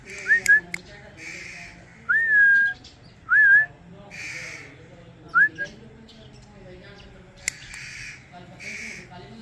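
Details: Indian ringneck parrot with blue plumage, said to be talking, produces scattered upward-sweeping whistles, some looping and held, separated by soft breathy hisses and occasional clicks over a low steady background hum.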